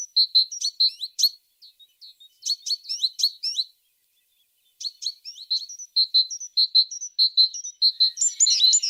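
A tit sings bright, high chirping phrases of quick repeated two-note figures in bursts with short pauses; no other sounds stand out.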